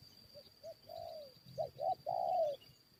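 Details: Spotted dove cooing while lured to fight wild birds: two short soft notes, a longer falling coo, then a pair of quick notes and a drawn-out mellow coo, over a faint steady high tone.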